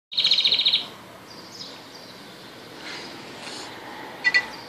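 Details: Red factor canary singing after being removed so the female would relax and stay on her eggs: a quick, bright trill of about eight high notes, then softer chips and a short twittering burst over quiet hiss.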